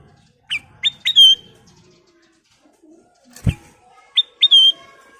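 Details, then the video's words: Lure song of a ruby-throated bulbul (kutilang emas): short phrases of sharp, rising whistles, each ending in a held note, with a single knock between phrases. "Kicau Burung Kutilang Emas full isian"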